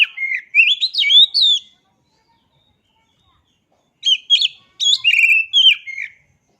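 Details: Oriental magpie-robin singing a rich run of varied whistled notes, sliding up and down, in two bursts separated by a few seconds of silence.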